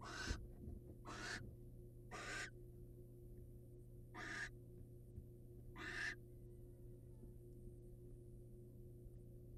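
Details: Wild barn owls at prey handover from male to female: five rough hissing screeches, the first three close together, then two more spaced about two seconds apart, followed by quiet hum.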